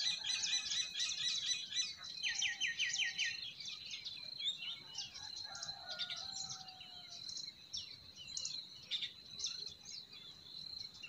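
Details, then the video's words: Forest birds singing in spring: dense overlapping high chirps and trills, with a fast buzzy rattled series near the start, a steady high whine throughout, and a soft lower whistle in the middle. "Relaxing Singing of Forest Birds"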